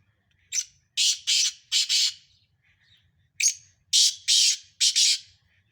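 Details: Black francolins, five Sindhi birds in a hard calling contest, give two harsh grating phrases: a thin high introductory note, then loud buzzy rasping bursts ending in a quick double note, with a pause between phrases.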